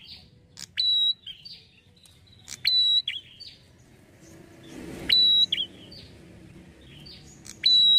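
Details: Prenjak kepala merah lure call used to make prinias respond quickly: a long pure high whistle followed by quick falling chirps, repeated four times about every two seconds amid faint background noise.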